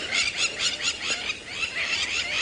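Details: Crowned lapwings at sunrise on 2 October 2017 in a clearing at Djuma, Sabi Sand, South Africa, displaying with wing flashes: a loud, shrill, rapidly repeated chatter of harsh high notes, several birds overlapping in quick bursts.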